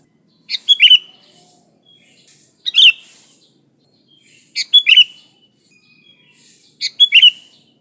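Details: Sooty-headed bulbul singing vigorously, a recording meant to attract bulbuls: four short phrases of two or three bubbly notes each, roughly every two seconds.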